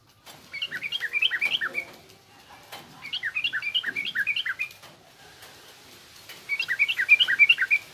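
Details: Yellow-vented bulbul of the garuda variety gives rough ngriwik chatter as tutoring for young bulbuls: three separate bursts of fast, bright chirps, each about one and a half seconds, with quiet gaps.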